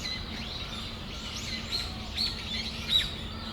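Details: Brown-eared bulbuls (Hiyodori) in Tamagawadai Park on a December afternoon: thin, high chirps and short squeaky notes given irregularly, a few louder ones near the end, over a steady low hum.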